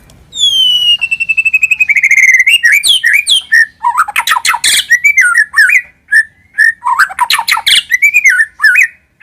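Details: White-rumped shama lure song opening with a long, pure, gently falling whistle, then tumbling into varied whistled phrases mixed with harsh, rasping bursts and short, twisting notes.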